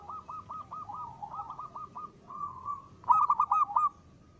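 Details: Singing local zebra dove, ngristal style: a long series of rapid rolling coo notes, then a drawn-out coo. A louder, crisp burst of stuttering notes closes the sequence over soft background noise.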